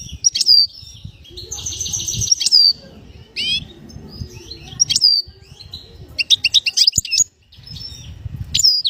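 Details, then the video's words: Bird whistling in varied phrases: sharp high downslurred notes, a buzzy rattling trill, quick clicking bursts and scattered high chirps, with a low background rumble. "the bird is whistling"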